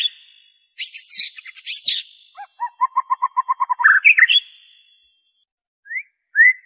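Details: White-rumped shama song used to lure and prompt captive birds to sing: loud whistled phrases mixed with rapid chattering notes, a quick run of even repeated notes in the middle, and short high whistles at the end.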